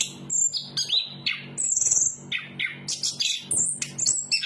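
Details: Chestnut-capped thrush of Southeast Asian forests delivering a lively song of clear high whistles, sliding notes and brief chirps, each phrase short and separated by small pauses, over faint low background hum.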